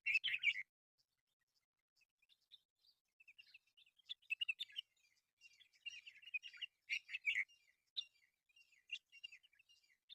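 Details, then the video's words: Mynas calling in a local reserve: a loud opening squawk, then scattered chattering, scratchy chirps and short whistled notes that build into dense clusters before thinning out. "mayna birds!"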